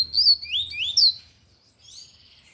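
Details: Lined seedeater in tui-tui style song, singing loudly: bright, high whistled notes sweeping up and down in quick succession during the first second, then quieter, thinner trailing notes after a short pause.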